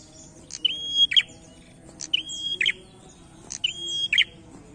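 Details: Energetic challenging song of a prinia: three piercing phrases about one and a half seconds apart, each opening with a flick, holding a thin, level whistle, then ending in a rattling, buzzy snap.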